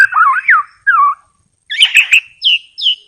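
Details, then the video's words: White-rumped shama heard as a lure for trappers: a few looping, slurred whistles, a pause, a harsher chattered note, then two short upslurred whistles. "SUARA KHAS BURUNG MURAI BATU_KICAU ISTIMEWA"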